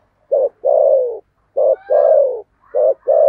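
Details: Decoy spotted dove with a 'thổ' voice, used to lure birds, repeating its coo phrase three times: a short clipped note, then a drawn-out descending coo, each about a second apart, with no other sounds.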